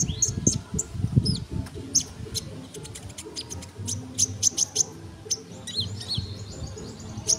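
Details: Sunbird in a tutor recording for songbirds, singing lively: scattered high, sharp chirps and clicks, some quick rising and falling slurs near the end, against a noticeable low rumbling background hum.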